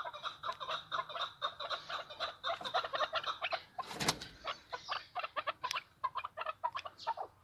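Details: Chukar partridge from Tajikistan, heard at a distance: a steady series of clucking notes over background noise, broken at about four seconds by a loud, broad burst of sound.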